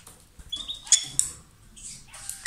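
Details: Lovebirds in a pair giving thin whistled notes and quick, scratchy twitters, ending in a louder squeaky burst.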